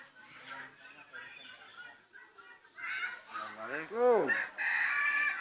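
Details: Talking hill myna uttering a greeting (salam): a run of strongly harmonic, arched voiced sounds that swell and fall around the middle, louder toward the end, over a steady room hum.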